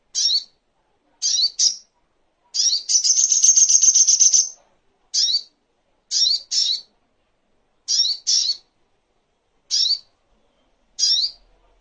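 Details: Regularly spaced sharp chip notes, often paired, from a little spiderhunter (sogok ontong), with one long high buzzy trill early on; a clean tutor recording for songbirds.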